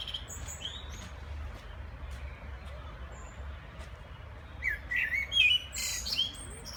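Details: Common blackbird singing in the background: a short, low-pitched fluty warble late in the clip, ending in a thin, high twitter, over a steady low rumble.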